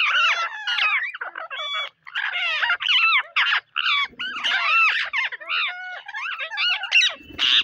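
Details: Parrots on a rainy day keep up an almost continuous chorus of loud, grating squawks and warbling screeches that swoop up and down, with many birds overlapping and only brief pauses.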